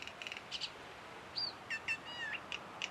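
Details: A Common Myna at Kuah, Langkawi, one individual observed mimicking at least four other species' calls: short high chirps, clear whistles, a sliding rising-and-falling whistle and quick paired notes, scattered across a few seconds over faint background hiss.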